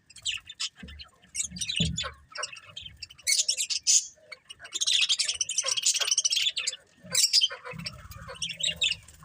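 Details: A flock of colourful budgies chatters in rapid, buzzy high twitters that swell into dense bursts, mixed with soft low knocks.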